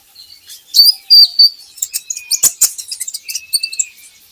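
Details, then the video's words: High sweet notes, a brief thin whistled line, then a fast chattering series from a van Hasselt's sunbird, used as a lure to make birds sing; a couple of sharp clicks. "PANCINGAN KOLIBRI NINJA Bahan Agar Bunyi"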